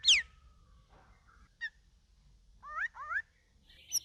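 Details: Captive straw-headed bulbul (cucak rawis), taken from a group cage and in its second week, singing vigorously (gacor): a sharp high chip, a thin flat tone, then two rich, rising, slurred whistled phrases in quick succession and a final high note.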